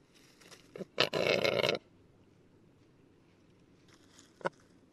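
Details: A male Western capercaillie sings in Lithuania: a sharp click, then a loud rough hissing burst of almost a second, followed by silence and one more isolated click.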